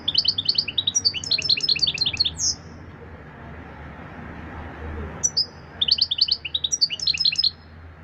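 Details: European goldfinch singing loudly: two bursts of rapid, tinkling high twitters and buzzy notes, each lasting about two seconds, separated by a quiet gap with faint low background hum.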